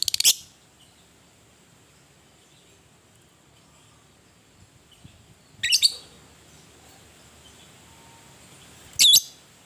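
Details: Fighting lovebird calling to stir other lovebirds: three short, harsh, high squeaks spaced several seconds apart over a faint steady hiss.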